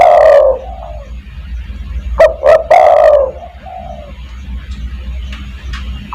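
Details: Spotted dove used to call other doves: a long loud coo at the start, then two short hoots and a drawn-out coo, followed by a quieter coo and faint distant notes.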